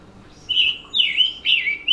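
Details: Scarlet Tanager song played during a lecture on West Virginia forest birds: three hoarse, burry phrases, more birdy than a robin's, about one every half second, each slurring up and down.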